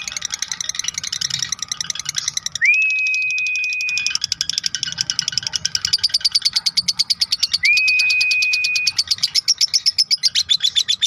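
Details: Long "ngekek" chatter of a lovebird, used as master audio for training other songbirds: dense, fast repeated harsh notes run continuously, with two sustained upslurred whistles holding a flat pitch for over a second each.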